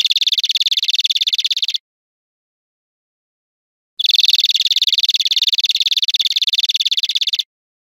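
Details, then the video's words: European greenfinch from a teaching recording of wild birdsong giving two harsh, buzzy, rattling trills, about two and three and a half seconds long, with a two-second gap between them. "Canto Verderon cd educador"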